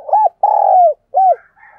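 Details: Decoy dove cooing to attract wild doves: an arched low coo, a long rough-textured note that falls at the end, and another arched coo, followed by faint higher sounds.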